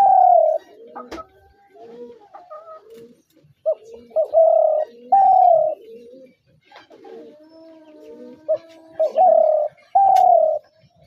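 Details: Spotted dove heard in a hunter's dove call: a series of deep, drawn-out coos, several preceded by short clipped notes, spaced irregularly over a cluttered background of faint clicks and low murmurs.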